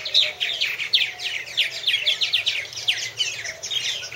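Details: Purple martins at one of three nest houses, recorded in 2014 by a nest camera: dense overlapping chirps and gurgling twitters from several birds, rapid and continuous, with no clear pause.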